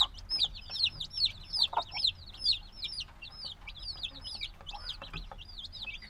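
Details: A clutch of few-days-old black chicks, still needing their mother's warmth, calls loudly: rapid high cheeps that drop in pitch, densely layered, with occasional lower thuds and light background noise.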